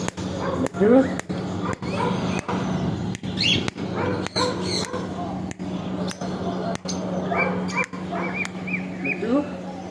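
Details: Pet parrot chattering in speech-like bursts interspersed with brief upward whistles and squeaks, steady background hum throughout.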